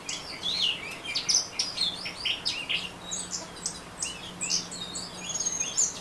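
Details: Orange-headed thrush delivering continuous ngeriwik song of bright, rapid chirps and short whistled slurs, packed closely together, over a faint background hum.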